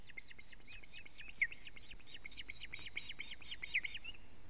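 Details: Osprey alarm calls recorded by a Latvian nest camera on 19 July 2017, 19:43, when the male brings a living fish: an even run of about twenty high, slightly slurred whistled notes over faint hiss.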